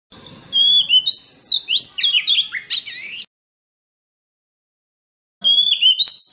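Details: Oriental magpie-robin singing in the wild-style 'forest voice', used to train young birds and stir wild-caught birds to sing: three seconds of clear, varied whistles with rising and falling slurs, a pause, then the song resumes.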